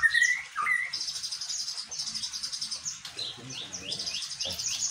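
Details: White-rumped shama mimicking the bar-winged prinia: two quick upslurred whistles open, followed by sustained strings of high, buzzy, rapidly repeated notes in bursts of about a second each.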